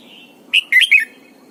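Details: Red-whiskered bulbul kept as a training decoy, singing a morning double-note wild-style song; one short, rich phrase of three rapid whistled notes with a rolling, slurred ending.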